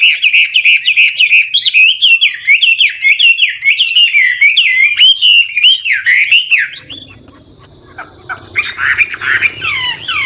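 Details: Chinese hwamei, an old wild decoy bird singing trilled, ever-changing phrases to get newly caught birds singing. Rapid, rolling whistled notes swoop up and down without pause for about seven seconds, then give way to quieter, broken phrases.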